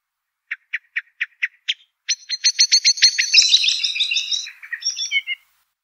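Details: European goldfinch singing the note phrase locally called lachafer: six evenly spaced short chirps, a pause, then a fast series of bright metallic notes running into a rich twittering warble and a few closing whistles, in a quiet setting.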